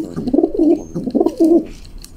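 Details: Young female rock pigeon cooing while pecking and fighting a hand indoors; two quick rolling low coo phrases, each ending in a drawn-out warble.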